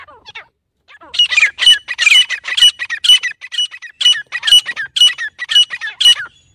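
A Grey Francolin gives a loud, harsh, high-pitched call, about two notes a second, after a few thinner rising notes at the start.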